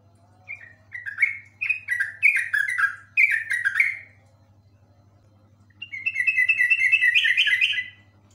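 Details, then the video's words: Yellow-vented bulbul singing vigorously in the long ropel style: a run of quick, sharp whistled notes around a falling and rising pattern, a pause, then a steady rippling phrase. A low steady hum sits underneath. "trucuk ropel panjang super komplit"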